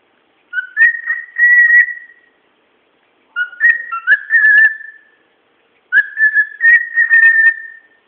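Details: Household pet bird whistling away in three evenly spaced phrases, each starting lower, stepping up, and then holding a long level whistle sprinkled with quick clicks and trills before fading out.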